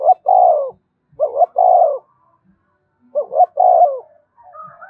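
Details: Spotted dove 'gáy thúc' coo, a song played so captive birds coo along all day: mellow low coos in three phrases about every one and a half seconds, each a short note then a longer falling coo, quiet between.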